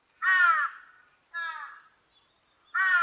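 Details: Large-billed crow repeating loud, hoarse caws, three in about three seconds, the middle one a little softer.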